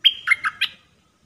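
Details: Caged red-whiskered bulbul used as a trapping decoy, singing a 'dok taeng' phrase (1 September 2021): a clear sustained whistle followed by three short dropping, warbled notes, crisp and loud with no background noise.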